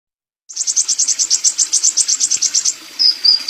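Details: Sunbird in lively, persistent song, recorded as a tutor recording for songbirds: a fast run of high, sharp pulsed notes, about eight per second, then a few thin, high whistled slurs. No other clear sounds.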